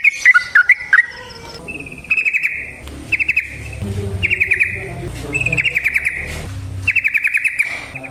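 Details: Yellow-vented bulbul singing in natural habitat, a recording for luring other bulbuls into song: a short bubbly phrase, then repeated buzzy chattering bursts at regular gaps, with faint low background sound.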